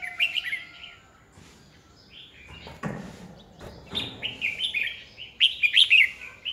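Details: Song of a decoy red-whiskered bulbul, used in 2020 to train and excite other bulbuls, runs as lively warbled whistles building to a loud, rapid, jumbled phrase at the end, with occasional soft thuds.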